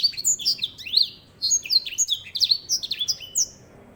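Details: Grey singing finch, known as edel sanger (Serinus leucopygius), used to teach canaries, pours out a continuous, lively stream of high slurred whistles and chirps, with a short break near the start.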